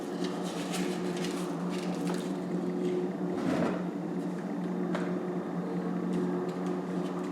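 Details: Constant electrical hum indoors with occasional soft knocks and rustles, no animal voices.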